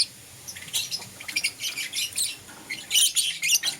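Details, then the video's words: Lovebirds, euwing green opaline and lutino colour forms, chirping in the morning: dense, sharp, high squeaky chirps in rapid overlapping bursts, several birds chattering at once, with a brief lull near the start. "Lovebird Chirping Sounds"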